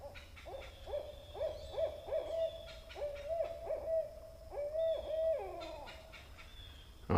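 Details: Barred Owl high in trees at a closed RV campground at Tuttle Point, Pennsylvania, excited and called in by a played recording, gives about a dozen quick bouncing hoots ending in a drawn-out descending wail; low rumble, final thump.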